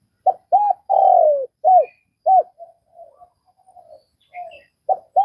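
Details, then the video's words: Spotted dove of Vietnam: two brief arched coos lead into a long descending coo and two more clipped notes, then a quiet run of soft murmured coos before the phrase begins again. "Tiếng cu gáy Việt"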